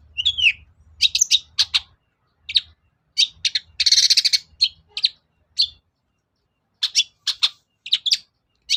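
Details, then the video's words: Lure song of the long-tailed shrike, or cendet, to get silent birds singing: varied high chips and squeaky notes in clusters, a broad harsh rasping burst midway, then more rapid chippy phrases. "BURUNG CENDET GACOR || SUARA PIKAT CENDET SUSAH BUNYI"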